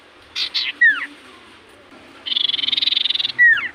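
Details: Common iora singing loudly: two short buzzy bursts and a falling whistle, a pause, then a longer pulsed buzzy trill ending again in a sharp descending whistle.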